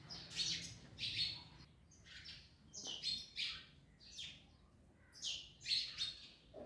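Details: Parrots busy with an orange repeat shrill, buzzy chirps in irregular pairs and triplets, each burst brief and sharp, with quiet gaps between.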